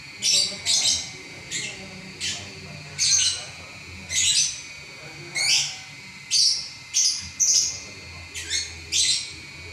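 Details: Champion lovebird chattering without pause through an eleven-minute song: a busy run of shrill, grating chirps, singly and in quick pairs, about one every second.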